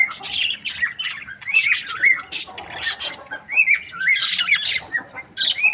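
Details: Budgerigar breeding pairs chirping: dense overlapping squawks and scratchy warbled notes, rapid rising and falling whistles between bursts, several birds calling at once with brief gaps.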